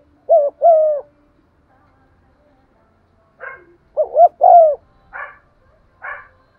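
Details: Spotted dove urging coos meant to rouse wild birds: two hooting phrases of short and long notes, interspersed with several brief harsh, rasping calls.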